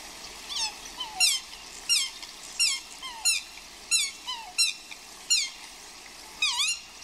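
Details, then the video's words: Swans in the rain, in an apparent courting or pair display, give short, high, downward-sliding squeals, roughly one or two each second, over a steady hiss of rain. "Swans Squealing and Roaring Like Crazy"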